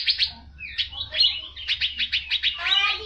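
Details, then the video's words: Asian fairy-bluebird song, loud and lively, used as a tutor recording for training birds: a few high chirps, then varied slurred whistles, then a quick series of about eight sharp repeated notes ending in a harsher rattle. "Burung Cucak Biru Gacor Untuk Masteran"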